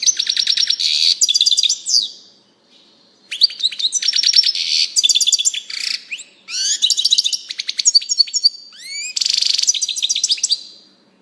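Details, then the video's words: European goldfinch in full song, a long run of rapid tinkling twitters and trills broken by brief pauses, with buzzy rolls and rising sweeping notes mixed in. The background is quiet. "singing canary chardonneret song saka kuşu sesi"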